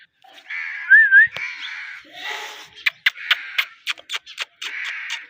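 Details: Pet Indian ringneck parakeet making raspy, buzzy calls and a short whistled wavering note, followed by a run of rapid clicks and chatter.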